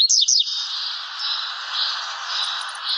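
A blue-black grassquit gives a quick pair of high, sweeping chirps at the start. Steady hiss and faint high tones fill the rest.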